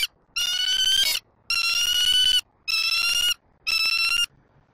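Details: Bald eagle at a Southwest Florida nest, 5 February 2024, around a feeding in which the eaglet mantles a fish: four loud, ringing, high chattering bursts, each lasting about a second, spaced roughly evenly.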